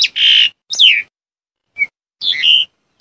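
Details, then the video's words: Black-collared starling giving a harsh rasping call, a descending whistled squeal, a brief clear note, then a two-part chattering whistle within three seconds. "Good of sound of black-collared starling"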